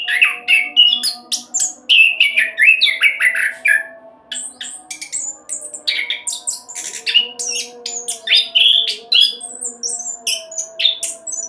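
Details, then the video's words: Orange-headed thrush kept as a lure bird for getting others to sing, giving a long fast rolling song of jumbled whistles, chatters and squeaky high notes, with a short pause around four seconds. "Anis Kembang Roll Cocok buat Pancingan agar cepat bunyi"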